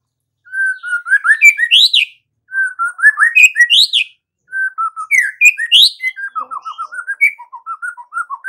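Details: Morning singing of a white-rumped shama: three separate phrases, each opening with low whistled notes and ending in sharp rising sweeps, the last becoming a run of repeated short falling notes, about three per second.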